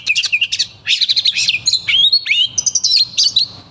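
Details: Oriental magpie-robin singing angrily after being called by its name: loud bursts of rapid clicking notes, then sliding whistles and buzzy trills, delivered in quick clipped phrases.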